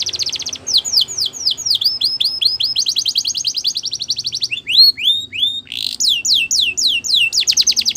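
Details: Belgian canary singing for training young canaries, a varied phrase sequence of fast trills, falling and rising whistles, arched sweeping notes and rapid rattles with no background noise.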